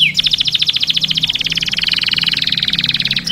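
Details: Canary singing to stimulate mating: a rapid, regular trill of repeated chirping notes that runs unbroken for about three seconds.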